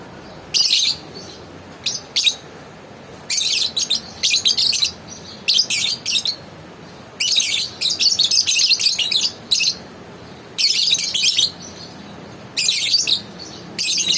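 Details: Lovebird giving bursts of shrill, high chattering chirps in clusters of roughly half a second to a second, separated by short silences, repeated throughout in an indoor setting.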